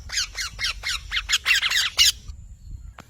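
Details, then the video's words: Parrot producing a fast series of about ten harsh, buzzy squawks that grow louder and denser before stopping abruptly, leaving quiet background rumble. "Mithu Tote Ki Awaaz"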